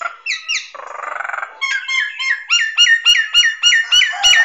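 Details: ['Nias hill myna tutor song for training songbirds: paired downslurred whistles, a brief buzzy rattle, then a steady run of loud, rising, ringing whistled notes repeated about three times a second.']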